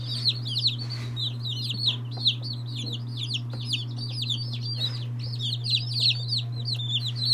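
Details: Day-old chicks of various breeds, including Lavender Orpingtons, Marans, Silkies, Seramas, Legbars and Salmon Faverolles, peep constantly in a crowded chorus. The high, down-slurred cheeps overlap continuously over a steady low mechanical hum.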